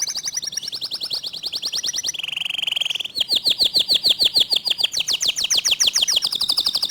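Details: Fast, tight 'tembakan' singing from a local canary with a clear voice. A rapid high trill drops into a lower buzzing rattle, then dense repeated notes climb back to a shrill trill.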